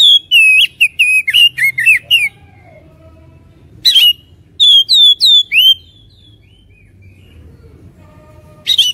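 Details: White-rumped shama song played to provoke fighting spirit: loud bursts of varied, rapid whistled phrases mixed with sharp high chips, separated by pauses, over a faint low hum.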